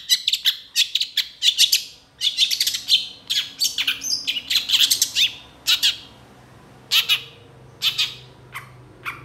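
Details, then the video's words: Long-tailed shrike singing a tutor song packed with varied phrases, said to be aroused by other shrikes: dense fast chattering and scratchy chirps for six seconds, then slower, spaced harsh notes with silent gaps. "PENTET GACOR EMOSI CEPAT DI RESPON CENDET LAIN, MASTERAN CENDET FULL ISIAN"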